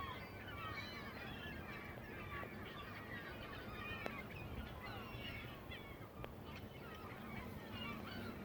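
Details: On a lake in New Jersey, a huge flock of birds comes down to land, filling the air with a thick, continuous babble of brief overlapping calls, a few sharp clicks and a faint low hum.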